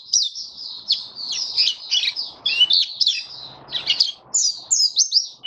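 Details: Caged white-eye in open song, kept on a diet adjusted for warm humid weather, dated 23 March 2022: high, quick chirping phrases with rising and falling notes, broken by short pauses.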